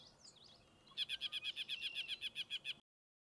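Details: Yellow-breasted Chat (Icteria virens) singing on 2 June 2023 at Goose Lake Prairie State Natural Area, Illinois: a faint whistled phrase, then a rapid string of about fourteen harsh, evenly spaced chuck notes over two seconds.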